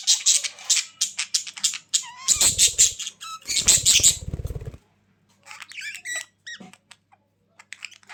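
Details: Budgerigars chattering with rapid high squeaks and harsh bursts, then a quieter stretch of separate warbled chirps.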